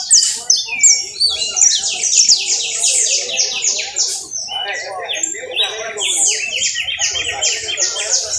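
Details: Canary song recorded in Valledupar, a rapid series of dense high trills that shift speed and pitch, including a low rolling rattle-like stretch midway and a clear whistled slur at the start.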